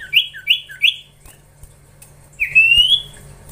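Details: Young caged Common Iora under training: three quick slurred chirps in a row, a short silence, then a single rising whistle that trails off.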